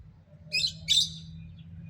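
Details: Two short, rasping parrot squawks about half a second apart over a steady low hum.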